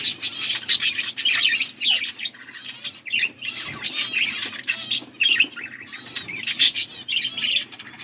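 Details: Chirping blue budgies feeding one another, recorded August 13, 2024; rapid clicks and bright squeaky whistles blend into lively, rasping warble phrases, low hum beneath.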